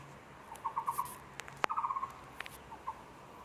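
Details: Taiwan barbet at a zoo, 24 February 2020: two runs of rapid hollow pulsed notes on a level pitch, interrupted by a sharp click and a few other brief knocks, then two faint single notes.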